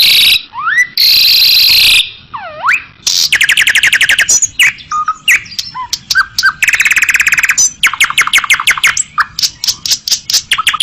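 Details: Asian pied starling singing in a training recording meant to teach caged birds, with rich filler phrases: swooping whistled slides, buzzy bursts and long series of rapid clicking, stuttering notes over a faint steady hiss.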